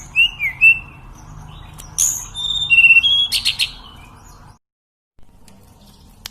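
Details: Sunda robin, local name tledekan, singing: a few short whistled notes, then high thin whistles and a rapid burst of ringing trill notes, followed by a brief silence and quiet background.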